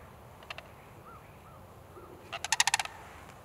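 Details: Sandhill crane, an apparent winter visitor to a park in Lancaster County, Pennsylvania, preening and vocalizing. A couple of brief clicks and soft low notes lead into a loud, rolling rattle of about eight rapid pulses.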